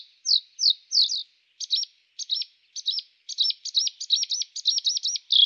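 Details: A Bluethroat, recorded in Moscow and Ryazan region, Russia (the recordings include male song and female alarm calls), gives high, clipped notes that quicken into a rapid, ringing series.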